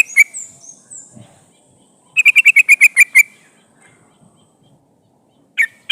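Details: Female sooty-headed bulbul calling the male, played as a lure for trapping wild birds; one burst of about eight rapid, sharp chattering notes, with scattered single notes before and after and a thin high hiss.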